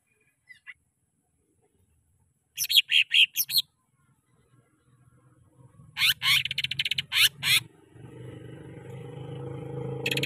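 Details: Greater green leafbird song used as a lure for training caged birds: loud bursts of harsh, buzzy, rapidly repeated notes in two clusters, between quiet gaps, with rising low background noise toward the end.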